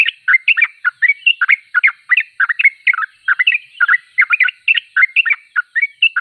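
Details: Sooty-headed bulbul (trucuk) described as singing persistently (gacor): dense, bubbly chatter of short whistled and slurred notes, several per second, overlapping in quick rhythmic phrases, with a clean background.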